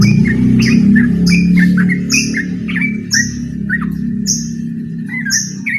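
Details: Yellow-vented bulbul in full voice, challenging a rival to a rapid-song duel (ropel): short bubbly notes come about three per second, with a constant low droning hum underneath.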